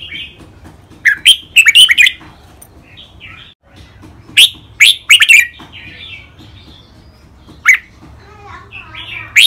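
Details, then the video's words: Training song of two caged red-whiskered bulbul males, including styles known as mae bot and nap dok. Loud clusters of bright whistled notes repeat every few seconds, interspersed with softer twittering and single sharp chirps. "นกกรงหัวจุก เสียงร้องเล่นริกเบิ้ล ลากหวาย แม่บท นับดอก ครบเครื่อง"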